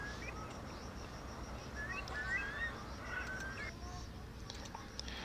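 A Eurasian Curlew gives several brief, clear, rising whistled 'cour-li' notes in the middle of the clip, over a steady low rumble of background noise.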